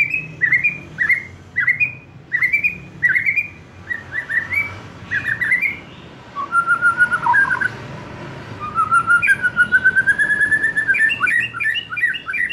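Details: White-rumped shama, for coaxing young wild-caught and post-juvenile birds into loud, frequent song: repeated sharp two-part whistles about every half second, then long whistled phrases and fast trilled, warbling runs.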